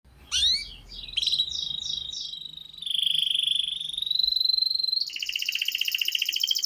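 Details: Canary tutor song played to prompt young canaries to start singing: a sharp rising note, a short bouncing trill, then long steady whistled tones, ending in a buzzy rattling trill over faint low rumble.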